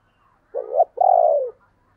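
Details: Single spotted dove phrase of the 'gáy gọi' calling style, 2022: a short coo swelling upward, a tiny break, then a longer steady mellow coo that fades downward, in near silence.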